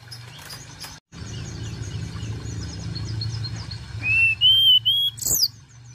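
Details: Sunda robin lure call, played to prompt other birds to call quickly: after a soft chirping background, a series of loud, pure, high whistles sounds in short bursts, ending with a sharp rising squeak.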